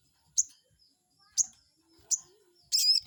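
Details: Crested jay lure call to stir up a rival: three sharp, high, downslurred notes roughly a second apart, then a short, harsh, buzzy burst at the end.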